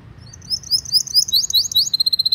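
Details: Canary lure song for training young canaries: soft high twittering that builds into a quick series of sharp looping notes, repeated about ten times a second.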